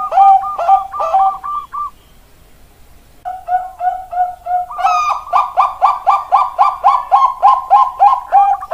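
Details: Zebra dove of the Bangkok perkutut type in Indonesian bird-keeping, singing: rapid series of short rolling coos near 700 to 1,000, repeated several times a second in bursts, a pause, then a longer rhythmic run of pulsed cooing notes.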